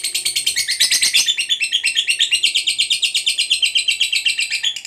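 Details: Lovebird giving its extended ngekek chattering song to set off answering calls from other lovebirds: a continuous, high, grating trill of quick pulses throughout, opening with a louder, harsher burst.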